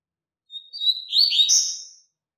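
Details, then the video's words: Young birds learning from a double-collared seedeater's strong tutor song: a drawn-out high whistle followed by a loud, buzzy, rapidly modulated warble of about a second, clean with no background. "Encarte Canto Forte Para Coleiro e Papacapim"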